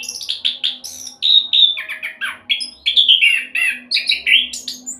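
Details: Lure song of an orange-headed thrush in fast 'roll speed' style, for getting birds to sing: quick descending whistled notes and varied chirps, fluid and continuous, with a low electrical-sounding hum in the background.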